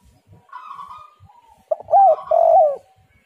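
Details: Spotted dove song played to lure other doves into calling. A soft buzzy phrase comes first, then a sharp note, then two strong coos, the second held and drooping at the end. Faint low rumbling sounds lie beneath.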